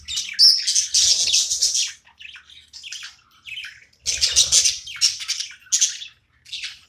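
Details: Playful pet budgerigar gives loud bursts of harsh, squawky chatter and quick chirps, two main outbursts with a quieter stretch of softer notes between.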